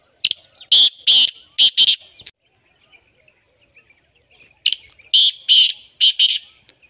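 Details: Partridge calling, a series of loud, harsh, buzzy notes in two bursts of four or five, separated by a two-second pause, with a faint steady high whine in the background.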